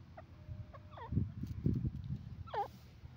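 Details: Grey francolin (teetar) calling: three hooked, rising-then-falling whistled notes, one after another with short gaps, over a low, uneven rumble of background noise.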